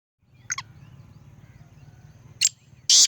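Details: Black francolin in Sindh, Pakistan: a short harsh double note, then after a pause two loud grating bursts close together, over a steady low hum.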